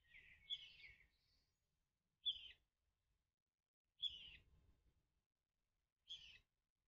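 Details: A Common Kingfisher chick in an artificial nest tube, calling unsuccessfully for its parent before crawling to it in a second nest, gives four harsh, buzzy, high-pitched begging calls, about one every two seconds, with short silences between.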